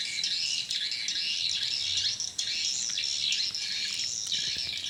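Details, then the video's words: A chorus of swiftlets at a small swiftlet house in the evening, an unbroken, very high, shrill twittering with flickering chirps and no lower sounds. "Burung walet respon di Rbw mini"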